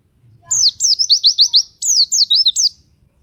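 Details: White-eye known as pleci, singing gacor to draw other white-eyes into song: two fast runs of piercing high notes, each note sliding steeply downward, delivered almost without a break.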